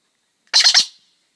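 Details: Galah cockatoo in the morning: one harsh, buzzy screech made of three quick pulses lasting under half a second, with no other sounds around it.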